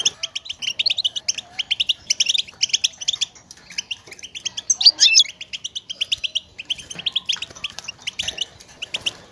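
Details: A European goldfinch gives stimulating contact chatter, used to call others and show its presence, in rapid bursts of bright, tinkling, high-pitched twitters. They are nearly continuous with a few sharper notes, and are used to prompt males to sing and mate.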